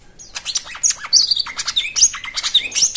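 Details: White-eye song, played to coax quiet birds into singing: dense, rapid twittering of high chirps and quick up-and-down whistled slurs, with no gaps.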